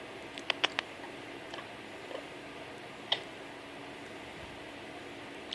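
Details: An Amazon parrot, a pet being told "kisses" by its owner at bedtime, gives a quick run of three short, wet kiss smacks, then single smacks a few seconds apart, against a quiet indoor room hum.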